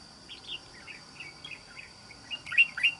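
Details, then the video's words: Wild-caught trap bulbul, red-whiskered, said to sing in a wild island-forest style. A rapid string of short chirpy whistled notes that swell into two loud slurred phrases at the end, over a constant faint tonal hum. "Bẫy Chào Mào. Mau Mỏ . Bung Xoè.Gốc Mào Cao Dày . Giọng Rừng Đảo Tốt"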